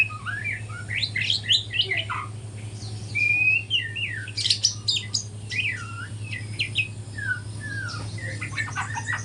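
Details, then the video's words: Spotted juvenile white-rumped shama learning to sing at dawn: strong varied phrases of clear whistles, sharp chips and looping slurred notes, with one long level whistle, over a constant low hum. "GACOR kicauan murai batu trotol pagi hari"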